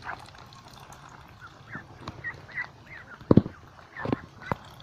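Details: By a lake, a flock of ducks gives scattered short nasal calls, a few bending upward, while splashing and dripping water sounds knock in sharply toward the end.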